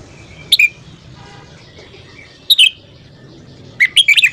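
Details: Red-whiskered bulbul morning song for voice training. Three sharp whistled bursts are separated by pauses, and the last is a quicker run of four or five chirpy notes. A faint low hum sits in the background.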